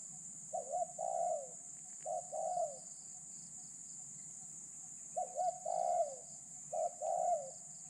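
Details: Decoy spotted dove used in catching wild doves, noted for a medium voice and thin phrasing; four softer, more distant coo phrases in two pairs, each a short note plus a longer coo, over steady insect hum.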